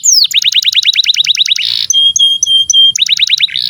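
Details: Canary song meant to prompt quiet or young canaries: quick repeated downslurred notes, a brief harsh buzz, then several pure steady whistled tones, followed by more fast falling notes.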